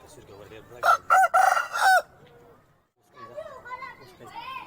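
An Aseel rooster gives one loud, harsh, four-part crow lasting about a second. After a pause come softer, wavering voice-like sounds, possibly hens or a person.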